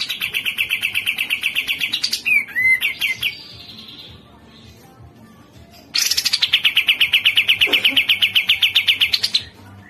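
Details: Masteran of cucak jenggot: two long bursts of rapid, even, buzzy chattering notes, separated by a brief pause, with a clear down-slurred whistle slipped in after the first burst.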